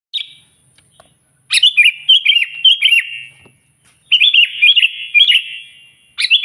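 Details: Sooty-headed bulbul singing loudly to call a rival, giving bursts of rich, bubbly whistled notes with sharp upward and downward slides, two long phrases separated by a short silence, a faint hiss in the background.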